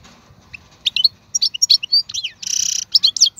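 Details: Wild European goldfinch, 2022 season, uttering separate sharp high chirps that build into a short buzzy trill, followed by further twittering notes over faint low background noise.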